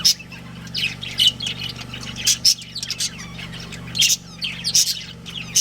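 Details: Budgerigars from a breeding pair in a family group give quick, sharp, high chirps and short squeaky squawks in uneven clusters, with a constant low electrical hum underneath.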